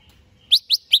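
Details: Three loud, clear upslurred chirps, evenly spaced about a fifth of a second apart, from a caged greater green leafbird being readied for a singing contest.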